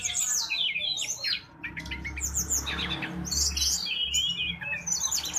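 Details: Energetic mangrove blue flycatcher song, known locally as tledekan bakau, used for tutoring: fast tumbling high chirps and twittering phrases with short buzzy bursts and a faint low hum underneath.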